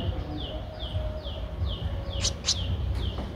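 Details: Streak-eared Bulbul chick aged 13 days, Thailand's Ubon Ratchathani, mid-April 2023: evenly spaced descending high peeps, interrupted by two sharp clicks, over continuous low-pitched background noise.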